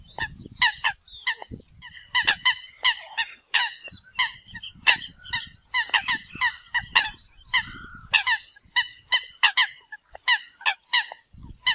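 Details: Eurasian coots calling to the flock give short, harsh, nasal honks in a quick, uneven series, several each second, overlapping like a few birds calling at once.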